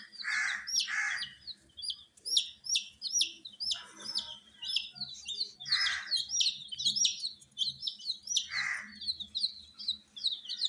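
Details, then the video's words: A brood of baby chicken chicks kept under heat gives a dense chorus of high, sharply falling peeps, several per second, with occasional broader hoarse bursts mixed in. "Witty MURGI Baby "Chicks Chirping" Sound"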